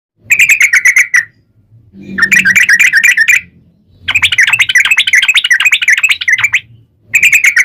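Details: Sooty-headed bulbul in a long rapid 'ropel panjang' song, used as a lure to set other bulbuls singing; three bursts of quick, bright chattering notes, each burst one to two seconds, separated by short silences.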